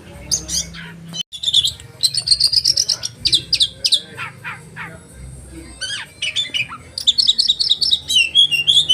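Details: Oriental magpie-robin in a sharp 'roll' song with 'tembakan' shots for training caged birds: high chips, a sustained buzzy trill, lower whistled notes in the middle, then a fast run of repeated high chirps.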